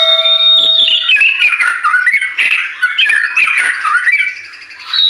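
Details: A white-rumped shama sings hard in a dense, unbroken stream of warbled whistles and harsh chattering notes, with a steady high tone underneath, used as a lure to prompt birds to sing.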